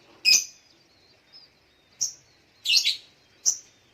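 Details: Morning calls of a spiderhunter: loud, sharp, high-pitched chips spaced about a second apart, some doubled, against a quiet background.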